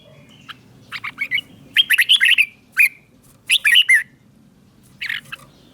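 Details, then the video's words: Caged red-whiskered bulbul from Thailand in southern master-song style, played to excite other caged birds and teach young ones: bursts of bubbly, warbled whistles and squeaky chirps in three main phrases separated by short pauses. "เสียงนกกรงหัวจุก สำหรับต่อ หรือ เปิดให้นกคึก เสียงเพราะๆ"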